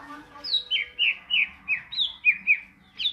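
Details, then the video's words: Greater green leafbird, ngentrok singing style: a steady string of about ten bright, slurred whistled notes dropping in pitch, each roughly a quarter second apart, over a quiet background. "cucak ijo gacor ngentrok"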